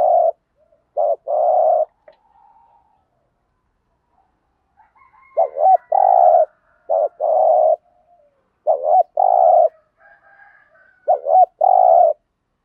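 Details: Spotted dove cooing to set decoy doves cooing too; several phrases of clipped notes and long coos over about twelve seconds, with short gaps and a soft higher tone between.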